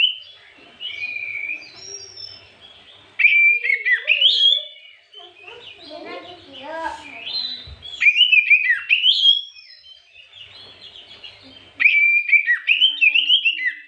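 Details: Afternoon white-rumped shama song used as a lure for other birds: bursts of loud, varied whistles and sweeping notes alternate with softer pauses where lower warbling sounds are heard.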